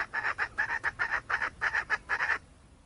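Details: Junglefowl hen cackling: loud, harsh doubled clucks repeated in a steady rhythm, ending in sudden quiet.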